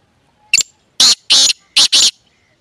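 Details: Grey francolin, or teetar, giving a loud grating call: one short clipped note followed by two pairs of rasping, broad, noisy bursts within about a second, otherwise quiet surroundings.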